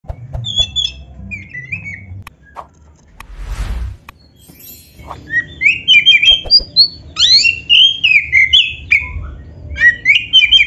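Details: Oriental magpie-robin, the black-breasted form, singing a full varied song meant to make other magpie-robins start singing; sparse chirps early, then loud whistled and warbled phrases rising and falling, fast and irregular, with low rumbling background.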